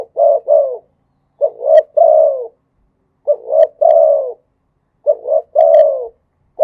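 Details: Thai spotted dove cooing in khat and nun styles. Each phrase has two clipped notes followed by a drawn-out, downward-sliding coo, and the phrases recur steadily with short pauses. No other sounds are present.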